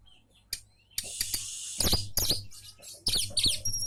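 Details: Oriental magpie-robin song played to make other magpie-robins answer: harsh, scratchy bursts broken by sharp high whistled notes and quick buzzy phrases, over a steady low electrical hum.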